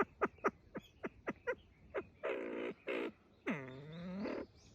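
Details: Copper pheasant calling and threatening: a series of sharp, dry clicks in a quick rhythm, then several harsh, rasping broadband calls, the last a long, grating note sliding downward.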